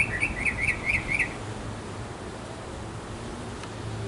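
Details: A male Northern Mockingbird in a backyard, singing for several minutes to court a female, gives a quick burst of five bright, high chirping notes, each rising then falling, over about a second, then quiet background hiss.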